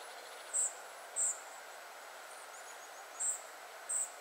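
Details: Spotted flycatcher family recorded at 51.943564, 20.122272: very high, thin, short call notes given singly at irregular gaps, four within about four seconds, over steady broadband background hiss.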